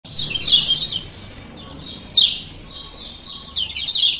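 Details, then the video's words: Male lemon-bellied white-eye from Lombok giving 'ciak ciak' calls, used as a lure to get silent birds singing: bright high chirps in a few bursts, with short quiet gaps between them. "Pancingan Kecial Kuning Malas Buka Paruh"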